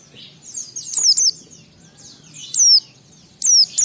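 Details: White-eye singing to provoke rivals into song: quiet high twitter leading into loud, clear descending whistles, a pair followed by two more spaced notes.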